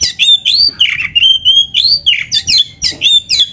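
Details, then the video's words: Oriental magpie-robin (kacer) song played to stir caged birds into answering and singing: loud, rich phrases of rising whistled slurs and sharp chattering notes, repeated in quick bursts roughly every third of a second. "PANCINGAN KACER GACOR ISIAN"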